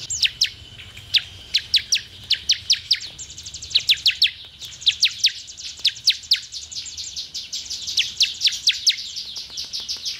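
Bar-winged Prinia: a fast, steady run of sharp, high chipping notes, several per second, carrying on without pause over a quiet background.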